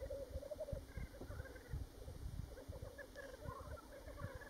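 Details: Black grouse at World's End, Ruabon Moor, North Wales, on 25 March; a faint, continuous low bubbling of rapid repeated notes with occasional higher hissing sounds, under strong low wind rumble.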